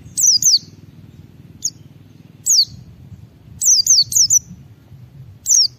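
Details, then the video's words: White-eye singing vigorously in the ngalas style, used as a lure to prompt other white-eyes to sing: sharp, very high descending whistled notes, single or in quick pairs and triplets, spaced by short pauses over a low background murmur. "Suara Burung Pleci Gacor membuat Semua Pleci langsung ngalas Bongkar Isian"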